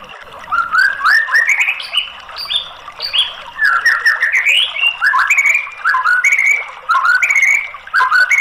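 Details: White-rumped shama singing a varied lure song intended to set off a quiet bird: rapid, tumbling whistled notes climbing and falling in pitch, delivered in nearly unbroken phrases with short breaks.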